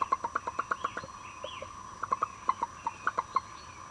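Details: Broody hen in a coop giving a string of short, low clucks, roughly four per second, in quick bursts with a brief pause in the middle; a faint higher squeal is heard once.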